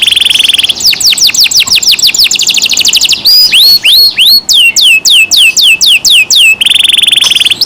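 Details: Caged canary in loud song: a buzzy steady note, a fast run of falling whistles, slower rising-then-falling whistled notes about two per second, then buzzing again.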